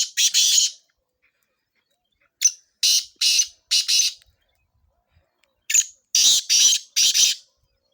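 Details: Sindhi black francolin, kala tetar, calling for chakree training. A rasping opening burst is followed by a silence, then a chain of scratchy, clipped notes. After another pause comes a second similar run of four or five notes.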